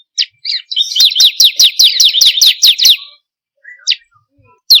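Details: Bar-winged prinia, called ciblek kristal, used as a lure to make caged birds sing: a few introductory notes lead into about eleven rapid shrill downslurred chips, then scattered single notes.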